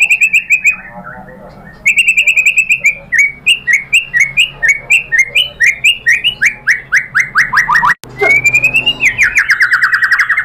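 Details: White-rumped shama singing as a lure meant to provoke other shamas into song: loud series of repeated clear whistled notes, each slurring downward, in a long rapid train with a brief pause, ending in rising whistles.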